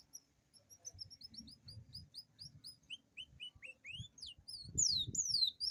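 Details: Canary singing a rolling song intended to lure quiet canaries into song; soft repeated high chirps gradually rising to louder descending whistled sweeps near the end, with low rustling sounds beneath.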